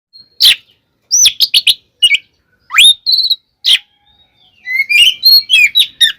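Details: Oriental magpie-robin (kacer) fighting song used to provoke other magpie-robins: loud varied whistles, sharp rising sweeps and rapid harsh clicks in bursts separated by short pauses.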